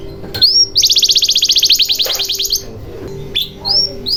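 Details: Canary song serving as a lure for canaries that have stopped singing: a rising whistle, then a long, rapid rattling trill of high notes lasting nearly two seconds, followed by a few scattered rising whistles.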